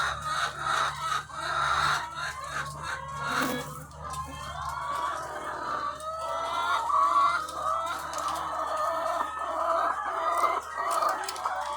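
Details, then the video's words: Farm with thousands of laying hens, a thick chorus of clucks and rising, wavering cackles from countless birds, swelling and dipping in loudness, with a low mechanical drone in the background. "The Sound of Thousands of Egg-Laying Chickens"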